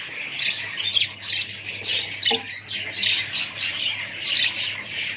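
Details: Budgerigars of a family group squawking and chirping in repeated loud bursts roughly every second over continuous warbling, with a faint low hum underneath.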